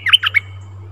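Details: Bulbul acting as a decoy for a very old wild bird, 11 August 2021; three quick, rich, warbling notes in a tight burst, then quiet hum.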